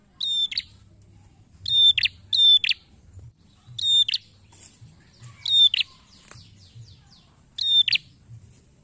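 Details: Prinia, described as red-headed, in a lure recording: six short, sharp bursts over nine seconds, each a bright high note trailing into a quick buzzy chatter, spaced unevenly, over a faint low hum.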